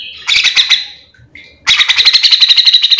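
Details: Grey-cheeked bulbul (cucak jenggot) singing continuously in full mbeset style, kept as a master recording to train and lure other birds of its kind: a burst of fast, high chattering notes, a short quiet gap, then a longer rapid pulsing run.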